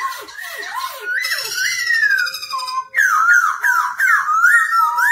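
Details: Caged black-throated laughingthrush singing and dancing, song meant to teach young birds: wavering whistles open, then loud looping slurred notes, rising and falling in quick succession, some nasal and harmonic-rich.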